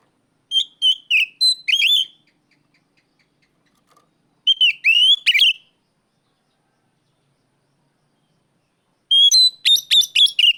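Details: Oriental magpie-robin calling out a rival, delivering three bursts of quick repeated whistled notes, each burst several notes long, with quiet gaps between.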